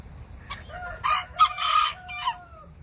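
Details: Tiny Bantam rooster answering the big neighbouring rooster: a sharp harsh note, then a loud, choppy, high-pitched crow in segments, with a lower, smoother crow sounding behind it.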